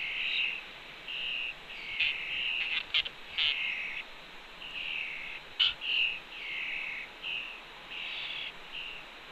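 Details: Red-tailed hawk fledgling beside its mother at the fledge ledge of a Cornell nest, on a June 2, 2013 afternoon at 2:47 PM: hoarse, drawn-out high calls, each under a second, come in uneven series with brief sharp clicks between.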